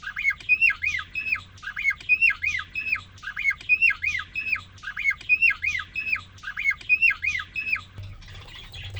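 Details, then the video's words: Male cockatiel kept in a cage, singing to a newly introduced female after three days alone; a steady phrase of looping, up-and-down whistled notes repeated about every eight-tenths of a second throughout, with a faint low hum behind. "The most amazing, and magical Cockatiel twitting you would ever hear."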